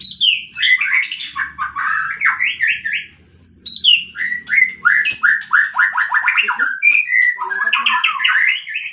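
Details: Fighting white-rumped shama, meant to coax silent birds to sing: clear whistled phrases in quick succession, with one brief pause, then chains of rapid falling slurs and a few higher flourishes.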